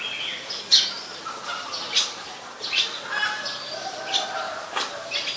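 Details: Oriental magpie-robin singing at Ubon Ratchathani, Thailand, on 26 December 2020: varied sweet whistles and brief chattering notes, some higher, some lower, following in quick irregular succession.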